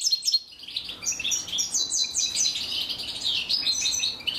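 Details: Female European goldfinch feeding her chicks, with dense high-pitched twittering and chirping notes running almost continuously, rising and falling in short rapid bursts.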